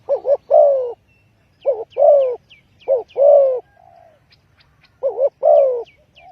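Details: Spotted dove calling as a trapping lure, four coo-croo phrases in steady succession, with a soft lower croo between them and a small bird's rapid high chirps in the background.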